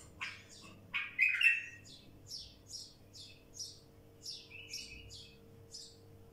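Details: A wild bulbul opens with a loud, rich warbled phrase, followed by a series of short, high, sharp chirps repeated about twice a second, plus one brief buzzy note.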